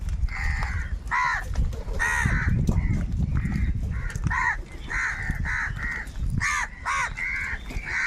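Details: Large group of crows squabbling over food: loud, harsh caws in quick irregular bursts, some overlapping, over a low background rumble.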